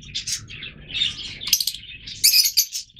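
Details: Busy twittering from a group of Yellow Fischer's lovebirds, a mutation colour of Fischer's lovebird, with harsh high squeaks rising near the end over a low hum.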